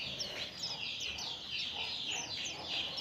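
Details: Oriental white-eye song used to lure other birds into singing: a dense stream of high, thin twittering and chattering notes, continuous over three seconds, with quick rising and falling trills.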